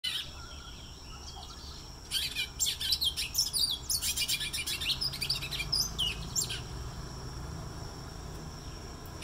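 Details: Brown twa twa song: after two quiet seconds, a dense burst of rapid, high, sweeping and chirping notes runs for about four seconds, then stops, over a steady low hum.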